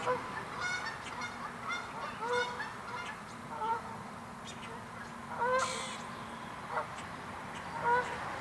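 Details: Canada geese honking at an angry mute swan: several short nasal honks with rising harmonic stacks scattered through the stretch, a louder burst of honks near the middle and again at the end, over steady low background rumble.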